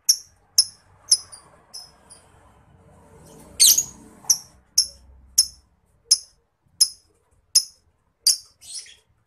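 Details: Lovebird ticking in ngetik style as master material for contest birds: crisp, high, metallic clicks repeated every half second or so, with one louder rasping burst midway.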